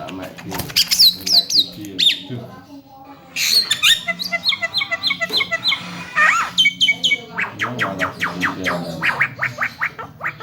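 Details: Javan myna training song for talking birds: varied chattering with high squeals, harsh squawks, clipped whistles and runs of rapid sharp chips, loud and continuous.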